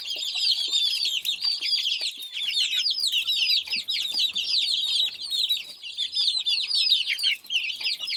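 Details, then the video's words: Many chicken chicks peeping together, a busy overlapping chorus of high, thin, downslurred cheeps with no pause. "Sound Of Chicks"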